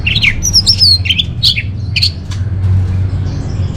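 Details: Orange-headed thrush from North Bali, used as a lure and master song for caged birds: a short run of high slurred whistles and twisting buzzy notes, fading into quiet, over a steady low drone.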